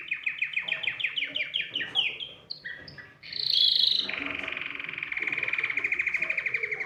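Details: Canary singing to spur other birds: a series of rapid down-slurred whistles, a sharp high burst, then a long, even, fast trill.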